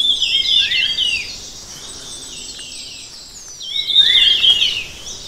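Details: Song of the red-tailed minla, Minla ignotincta: a quick warbling phrase of twisting high notes ending in a downward slur, then a gap of about two seconds before a second similar phrase begins.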